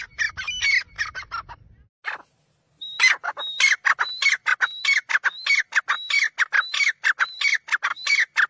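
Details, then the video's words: Black francolin (kala teetar) gives loud, harsh, grating calls in rapid bursts, with clicking, scratchy notes repeated steadily after a short pause. "Kale Teetar ki awaaz"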